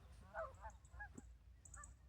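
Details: Geese give short nasal honks at sunrise, before the sun is fully up, four or five spaced about half a second apart, over a steady low rumble of wind or handheld camera handling noise.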